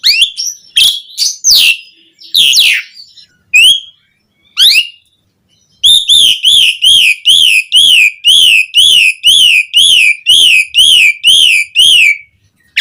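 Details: To get captive birds singing, an Asian pied starling gives sharp slurred notes and scattered whistles, then a long regular run of arched whistles repeated about once every half second.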